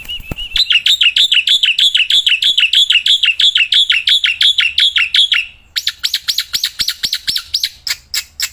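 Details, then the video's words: Tireless singing from a caged black-winged myna, outdoors and in the hand: a long string of rapid, identical whistled notes about three a second, then sharper, higher repeated chips. "Burung Jalak Putih Gacorrrnya Edan gak ketolong"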